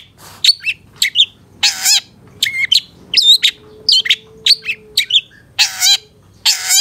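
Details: Long-tailed shrike song in a master recording for training caged birds, a varied sequence of warbled whistles, rasping buzzy bursts and sharp chirps, each phrase separated by short pauses.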